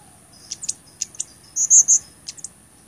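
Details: Song of the blood-breasted flowerpecker, used for training caged songbirds and for trapping lures: scattered high, dry ticks, then three louder thin whistled notes in quick succession and a couple of final chips.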